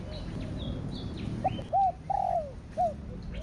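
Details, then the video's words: Spotted dove in the thổ đặc thúc or thổ sấm style, here quieter: a few short arched coos and one longer falling note over a low background rumble, with faint high chirps from other birds. "Cu gáy THỔ ĐẶC THÚC Kích Bổi . ( THỔ SẤM )"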